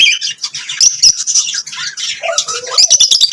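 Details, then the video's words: Lovebirds sing and chirp in a busy, scratchy babble of high squeaks and whistles, with a few lower nasal warbling notes near the end, the chatter running nonstop throughout. "Lovebirds singing and chirping sounds"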